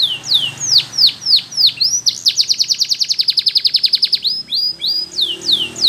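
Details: Belgian canary singing a training song for young canaries: repeated looping, swooping whistled notes surround a long, fast, pulsing trill in the middle, with faint low room noise beneath.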